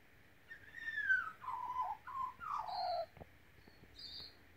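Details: Pet Australian magpie being taught by its owner to whistle and sing: soft, quiet warbled phrases, slurred notes sliding downward in four short runs, then two thin high notes, in an otherwise quiet room.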